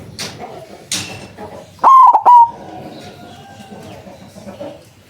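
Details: Big-voiced white zebra dove serving as a lure to provoke other zebra doves into calling: a brief hiss, then a single loud coo of three choppy notes with a lingering final tone.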